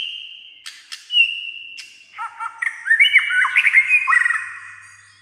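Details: A white-rumped shama singing, opening with a sustained whistle and clicks, then bursting into rapid, varied warbled phrases at about three notes a second, with scratchy high overtones.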